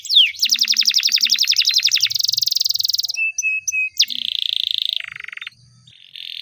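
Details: Singing canary, a long song used to train young canaries, with a fast rolling trill of repeated notes, then a buzzy sustained tour, clear whistled notes and further rapid rattling phrases in a quiet setting.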